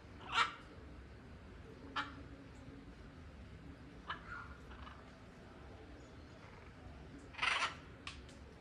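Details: Blue-and-yellow macaw living free, uttering loud, hoarse screeches spaced a few seconds apart, with a longer grating burst near the end and quieter squawks between, against steady low background noise.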